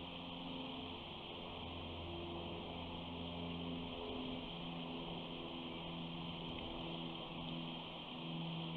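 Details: Steady droning engine-like hum with faint sustained tones throughout, and no animal call heard.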